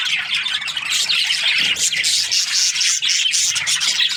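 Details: Happy budgerigars in breeding season produce a constant high scratchy warble, many chirps and squeaks overlapping with no gaps.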